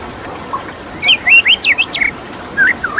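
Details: White-rumped shama with water in the background: a short phrase of sharp, zigzag whistled notes sweeping up and down, followed after a pause by two rising slurs.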